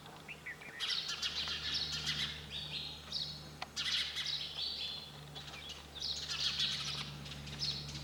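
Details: Lively sparrow chirps, high scratchy tweets in uneven groups, low background hum throughout.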